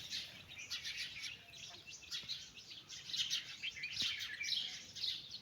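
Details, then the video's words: Chicken chicks out walking with their mother hen, giving a dense, continuous chorus of high, thin peeps that overlap and rise and fall in loudness throughout. "Cute chicks playing🐓❤️|mother hen calling her babies chicks for walk|chick sound effect"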